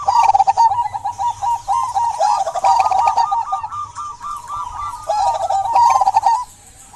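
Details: Local zebra dove in vigorous song, used to lure quiet doves into singing: an unbroken chain of quick, bouncing cooing notes, about four per second, fading out near the end, with light background clicking.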